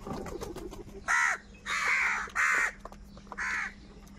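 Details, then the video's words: Crows competing for food give four loud, hoarse caws, one drawn out longer than the rest. Softer chatter and a low background hum come between the caws. "crow bird live crowing sounds"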